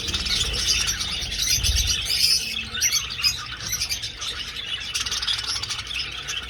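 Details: Budgies flying in an old aviary produce a steady wash of high chirps and warbling chatter, with a brief low thud early on.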